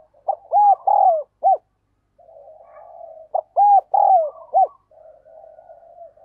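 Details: Spotted dove used as a decoy, calling rapidly to lure wild doves. Two loud phrases of three or four hollow, arched coos about three seconds apart, each followed by a soft, low purring trill.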